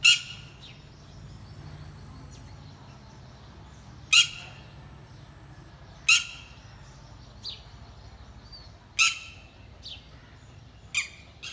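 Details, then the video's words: A mother bird keeps watch over her young, giving loud, harsh, high-pitched calls at uneven gaps of about two to three seconds, with faint chirps in between. "Mama bird watching over her kids"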